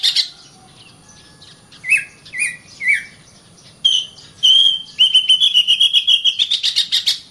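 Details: Oriental magpie-robin in full song: a few separate short whistled slurs, then a long rapid train of buzzy, rattling pulses that climbs slowly in pitch for about two and a half seconds.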